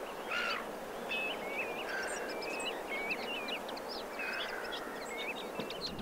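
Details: Common linnet calling in autumn on a beach at Pointe de Penvins, Morbihan, France, on 28 September 2022: short twittering, rising and falling notes in loose bursts over steady surf-like background noise, with faint calls of shorebirds.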